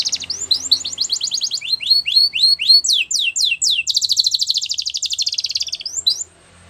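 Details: Male canary song: quick repeated whistled sweeps, then a long, loud rolling trill lasting about two seconds before stopping.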